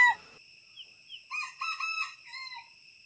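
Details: A red junglefowl rooster from a pagoda's flock near Teuk Chob Khnar Po Community Forest, Siem Reap, Cambodia, gives a short, hoarse crow of several choppy syllables that ends abruptly, over a steady high-pitched insect-like whine.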